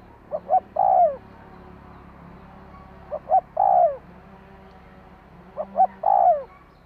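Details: Spotted dove cooing meant to stimulate a decoy bird: short double notes leading into a sliding, descending coo, given three times about every three seconds, with steady low background noise.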